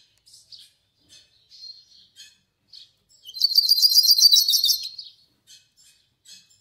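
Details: Melodious yellow-faced siskin song: soft high twittering chips scattered throughout, with a loud, fast, rattling high trill of rapidly repeated notes lasting about one and a half seconds in the middle.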